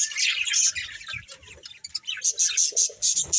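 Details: Budgerigars in a family group: rambling scratchy warbling at first, then a run of sharp, bright, repeated high chirps near the end, roughly three per second.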